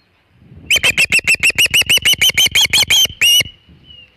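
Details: Osprey at the Hog Island nest on 27 August 2019, around 3:50 pm, with a big shad: a rapid run of about fourteen sharp, high, piercing whistled chirps, evenly spaced, then one longer note.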